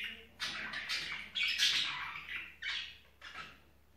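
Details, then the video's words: Mating-season budgerigar calling: a few loud, buzzy squawks and scratchy chirps, the longest near the middle, then two shorter squawks with small gaps of quiet between them. "Muhabbet Kusu ciftlesme Zamani"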